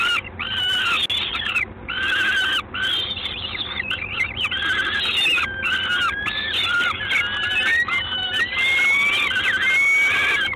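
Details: Peregrine falcon, Gdańsk, 3 June 2016 at 19:47, calling insistently with choppy harsh squeals at first, then longer rising, whining screams repeated roughly every second toward the end, over a hissing background.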